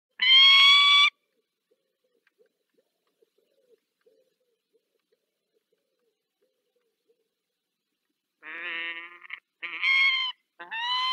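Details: Female peregrine falcon in Dolina Baryczy, Poland, 18 March 2024, calling to her mate: a loud, harsh, harmonic wail of about one second, then silence and three more strained, hoarse calls close together near the end.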